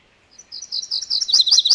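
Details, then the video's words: MacGillivray's warbler singing one quick phrase of bright, high chipping notes that grows louder toward the end, finishing in three sharp, emphatic accents. "MacGillivray's Warbler Song ! MacGillivray's Warbler Sounds ! MacGillivray's Warbler Call"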